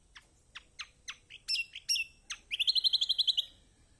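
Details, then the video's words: Lemon-bellied white-eye (kecial kuning/kecial kombok), a master recording played to prompt reluctant birds to sing: sharp, high descending chirps at an uneven pace, then a fast, bright, high-pitched trill of about ten notes. "Masteran Kecial kombok/kecial kombo || Pancingan buat kecial kombok malas bunyi auto gacor!!"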